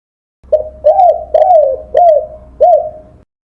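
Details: Spotted dove song used as a master recording to tutor songbirds. A short opening note, then four warm, arching coos at a steady pace, clean and close with no other birds.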